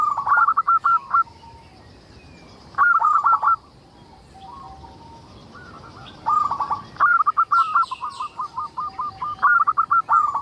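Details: Local zebra dove in strong, frequent song, used as a lure to prompt other zebra doves to sing: mellow, stuttering cooing phrases of rapid pulses, ending in a long run of repeated rolling coos, with faint high chirps of other birds.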